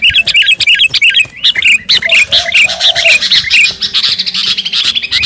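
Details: Sooty-headed bulbul of the garuda type in lively song, calling to a rival: short bright whistled notes with a rising-falling shape, repeated about twice a second, then a dense twittering run over faint background chatter.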